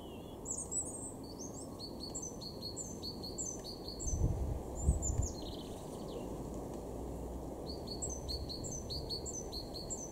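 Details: European robin in a garden in Weener, East Frisia, northwest Germany, in March 2023, sings high, thin, tinkling phrases of quick notes, pausing mid-song and resuming, over steady low wind and background rumble.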